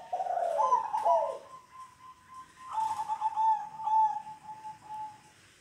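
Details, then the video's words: Local zebra dove giving its kong-style song. Quick, bubbling, rising-and-falling cooing notes are followed by a long, level, mellow whistled coo, and then a second run of trilled coos trails off on one pitch. "Kumpulan Suara Perkutut Lokal Kong"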